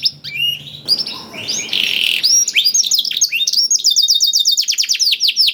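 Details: Canary singing blackthroat-style phrases as a singing lure: scattered chips and a hissy noisy passage give way to a steady series of rapid high descending notes.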